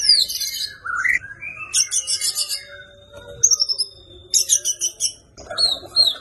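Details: Energetic white-rumped shama fighting song full of 'isian', used for mastering birds: mixed whistles and upslurs, bursts of dense buzzy trills, and a thin sustained tone between phrases.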